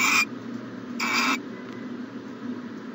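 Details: Two brief, harsh breathy screeches about a second apart from an owl at its nest box on a January 2020 morning, followed by quieter background hum.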